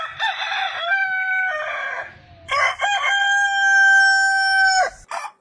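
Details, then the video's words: Aseel rooster crowing: two loud crows, the first broken and harsh, the second a long steady held note of about two seconds ending in a sharp drop-off. "Aseel crowing completion"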